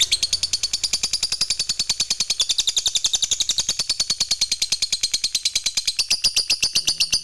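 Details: Fighter lovebird gives long ngekek chatter to set other lovebirds singing: a fast, unbroken rattle of sharp, high, buzzy pulses that holds its pace throughout.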